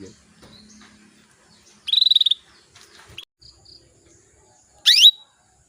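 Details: Female canary calling males to spur them into singing: a short rapid trilled burst, scattered faint chirps, then a sharp rising sweep ending in a brief whistle.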